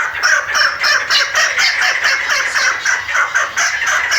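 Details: Female chukar partridge calling: a fast, steady run of harsh, clucking mid-pitched notes, roughly four each second, delivered without a break and with no other clear sounds.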